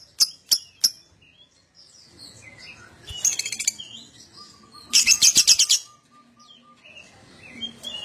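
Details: Lovebird sounds meant to prompt other lovebirds into song: three sharp clicks, scattered thin chirps, and two short bursts of rapid buzzy chatter, with a faint steady tone in between.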